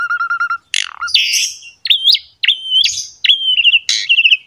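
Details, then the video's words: Masteran recording of an Asian pied starling in strong gacor song, used to encourage other starlings to sing: a steady stuttering whistle, then a harsh downslur and several level whistled notes ending in quick trills. "MASTERAN BURUNG JALAK SUREN GACOR ISTIMEWA"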